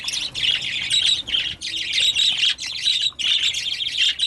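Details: Noisy birds give four rasping, high-pitched outbursts of overlapping chirps and squawks, each about a second long.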